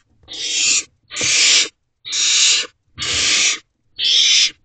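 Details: Barn owl young in a nest box at 3:27 am, 12 May 2023, while an adult male delivers food. Five clean, loud rasping hisses, each about half a second, separated by near-silent pauses of similar length.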